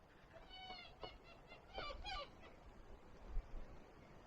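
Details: A Magellanic woodpecker in forest on the trail up Cerro San Sebastian, Huerquehue National Park, Chile, gives nasal, bleating squawks: one wavering, goat-like cry, then a few harsher bursts, over a low rumble of wind and footsteps.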